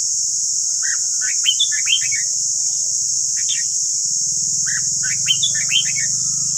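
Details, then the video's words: Red-whiskered bulbul of the white-cheeked type singing for training caged birds' voices: two groups of short, bright warbled notes separated by a pause, with a constant high-pitched hiss and a low droning hum beneath. "Luyện giọng chào mào ép bổi ép má trắng"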